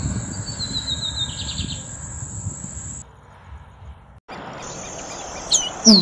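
Lined Seedeater song: a quick falling run of high notes ending in a brief buzzy burst. A thin, steady high whine runs underneath, and sharp chirps come near the end.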